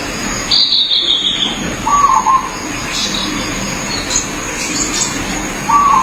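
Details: Zebra dove in natural habitat delivering short vibrating, trilled coo phrases about four seconds apart; a higher descending whistle from another bird and soft background hiss are also heard.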